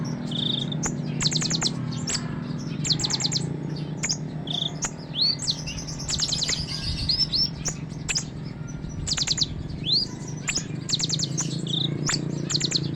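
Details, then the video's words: Sunbird singing a rich, varied song meant for tutoring other songbirds, with fast bursts of high ticking notes, short upslurred whistles and sweeping twitters in irregular runs, and a constant low hum underneath. "suara burung konin isian mewah"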